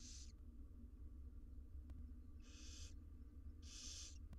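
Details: Hissing, breathy shrieks from wild barn owl chicks at feeding time inside a nest box holding six nestlings. Three broad rasping bursts about a second apart over a constant low hum.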